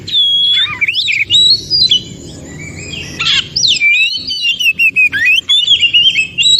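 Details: Forest-recorded Oriental magpie-robin song, meant to make other magpie-robins respond and sing: rich whistled warbling with looping upward and downward slides, a short harsh burst midway, then rapid clear notes, faint background hum.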